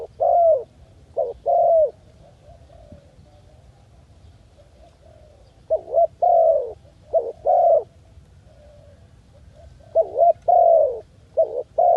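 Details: A dove in jungle gives low, hollow coos in short runs of three or four notes, each run separated by a few seconds of quiet.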